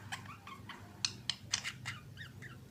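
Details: Budgerigar pair kissing: staccato chirps and clicking squeaks in quick succession, ending in a few short bent whistles; faint hum behind.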